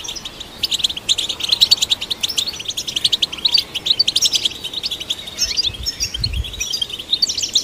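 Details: European goldfinch singing, aimed at stimulating goldfinches. Lively chattering twitters of sharp, high chirps come in quick runs, with a rising whistled slur near the end and a soft low thump in the background.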